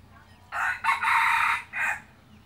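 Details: Red junglefowl decoy cock used for hunting crows once: a loud, harsh, broken phrase of three segments lasting about one and a half seconds, with a quiet background.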